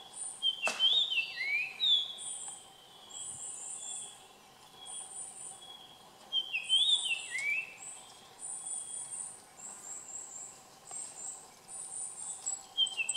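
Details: A Japanese grosbeak (Eophona personata), recorded 30 June 2015, gives two clear, fluting whistled phrases of slurred up-and-down notes, about six seconds apart, over steady pulsing high-pitched insect buzzing.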